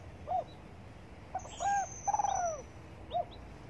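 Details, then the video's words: Spotted dove cooing while basking in the morning: an isolated soft note, then a phrase of a level coo and a long wavering coo sliding lower, closed by a short note. Distant high bird whistles accompany it. "Cu Đất Gáy Gù Phơi Nắng Sáng"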